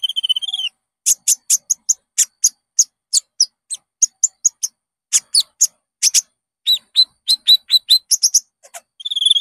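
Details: Konin singing, used to prompt caged birds to sing: opens and closes with a thin, wavering high whistle, between them a lively run of sharp, evenly spaced chirps and clicks.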